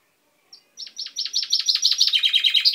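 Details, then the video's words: Chaffinch kept at home, beak newly purple, recorded 10 May 2012: a short chip followed by a quickening run of high down-slurred notes that drop to a lower, denser trill. "Mi pinzon cantando"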